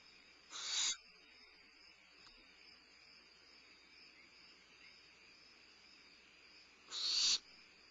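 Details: A barn owlet at Starr Ranch, limping and steadying itself with its wings during a midnight meal on 22 May 2011; two brief breathy screeches separated by about six seconds of low background hum.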